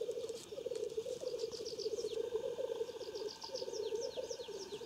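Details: Black grouse lekking at Klassino, Omsk region, Siberia, in 2018: a steady, continuous low bubbling coo runs almost unbroken for five seconds, with brief gaps, while high, quick descending whistled notes from other birds repeat above.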